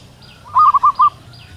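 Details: In the wild, a local female zebra dove gives a short, rippling run of four soft coos to attract a male, over faint repeated high chirps in the background.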